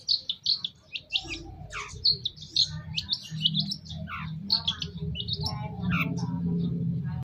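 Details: Long-tailed shrike song as a masteran to prompt a response: quick varied chips, slurred down-sweeping whistles and chattering notes, while a steady low rumble grows louder through the second half.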